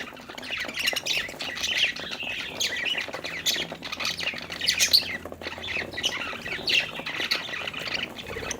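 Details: Several happy budgerigars chirping while playing: dense, overlapping squawky chirps and warbles, high-pitched and continuous, with fluttery busy chatter throughout and no clear pauses.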